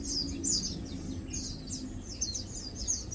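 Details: Feeding and preening Lowland white-eyes (Matang Dulong) trade scattered thin, high chirps and brief twittering notes, loudest near the start, with soft low background noise.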